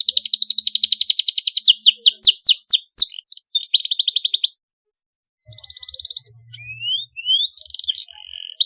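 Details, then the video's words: Canary song to encourage young canaries to sing: fast rolling trills and downslurred whistles, a brief silence, then a soft buzzy trill and rising whistles. "Cuitan Kenari UNTUK Perangsang bunyi Kenari paud, Gacor ngeroll tajam untuk pancingan"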